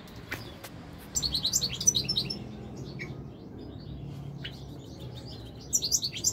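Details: European goldfinch song, captive bird: bursts of rapid, tinkling high twitters and trills, two phrases separated by a quiet gap, over a low background hum.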